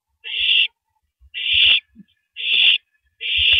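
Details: Female owl swallowing a large rabbit in the early morning, 3:33 AM, April 9, 2012: four long, harsh hissing screeches about a second apart, with faint low thuds.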